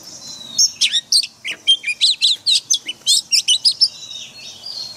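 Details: White-rumped shama, kept caged and trained daily with forest-style singing, delivers a fast run of bright whistles, slurred upsweeps and clipped chirps in quick succession after a soft opening whistle, with no other sounds.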